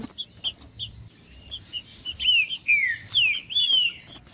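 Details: Green-winged saltator singing "macheando", used to warm up other saltators. Clear, descending whistled slurs arrive in the second half, after a stretch of sharp high chips. A constant thin high tone persists in the background.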